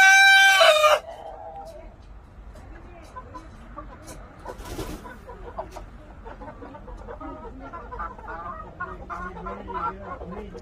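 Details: Korean native chicken, a traditional local breed: a loud harmonic call cuts off after about one second, followed by soft, low, scattered clucking notes over a quiet background.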